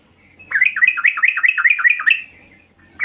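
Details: Female yellow-vented bulbul in agitated calling meant to attract males: a fast chattering series of about ten hooked, up-and-down notes over one and a half seconds.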